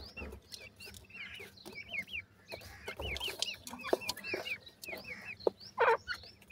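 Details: Francolin chicks while feeding give repeated high, thin peeps that rise and then drop, several birds overlapping, with soft knocking and pecking noises and a brief louder squawk near the end.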